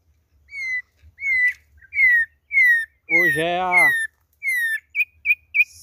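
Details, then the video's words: Campo troupial of the type called imperador, on its second day and being released back to nature, around May 6. Clear whistled notes that fall slightly, repeated about once a second. A man speaks briefly midway. "Concriz imperador na pegada"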